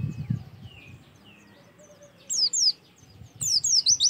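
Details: Oriental white-eye song used as a lure: faint soft notes and low background noise at first, then two bursts of bright, high, quickly falling whistled notes.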